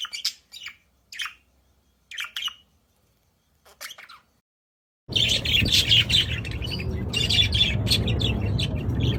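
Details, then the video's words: Budgerigars calling in a loud chorus: scattered short chirping bursts at first, then after a brief silence a dense, continuous chattering warble from many birds over a low rumbling background. "เสียงนกหงษ์หยก นกหงษ์หยก ร้องชัดเสียงดังระงม ประสานเสียง"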